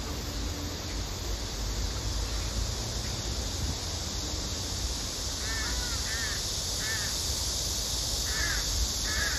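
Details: After a quiet stretch of hiss, a female crow starts begging the male for food, giving short, nasal double caws in quick pairs toward the end.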